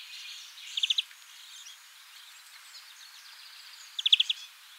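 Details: European greenfinch giving its typical call: two short bursts of rapid, dry trilled notes, four or five pulses each, about three seconds apart, over faint background hiss.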